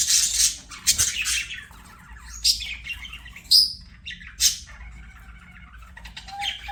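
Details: Pet budgies singing as they play, giving scattered scratchy squawks, short whistled notes and a few clear rising chirps, irregular in timing with quiet gaps between calls and a low background hum.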